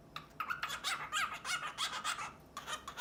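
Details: Male pet cockatiel indoors, courting a drowsy female with varied sounds: soft breathy huffs and raspy squawking bursts in uneven clusters, with pauses between.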